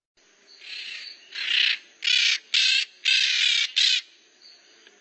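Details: Maritaca parrots making noise with a rapid series of about six harsh, raspy squawks, rising in loudness, some run together.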